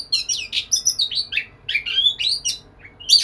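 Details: White-rumped shama singing to a female from a cage, loud varied phrases of high whistles, squeaky slurs and buzzy notes, with short breaks between the bursts.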